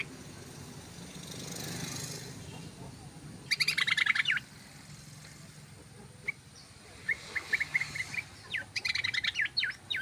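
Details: Yellow-vented bulbul chattering in 'ropel' style as a bird lure: a dense burst of rattling notes, then scattered short chirps building into another quick, jumbled run, with steady background noise.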